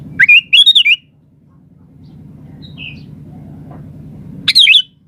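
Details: Sooty-headed bulbul in full voice: a rapid run of fluty rising and falling whistles, a pause with a faint chirp, then another brief warbled burst.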